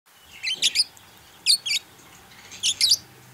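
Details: Purple budgerigar kept as a pet, giving short chirpy calls in three clusters of two or three bright warbled notes, roughly one cluster a second, with a quiet background.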